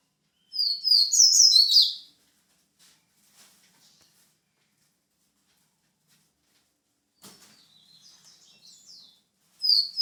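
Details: White-breasted seedeater gives a brief high twittering burst, followed by long quiet with faint, scattered soft chirps and a light knock, then another song phrase starting at the very end.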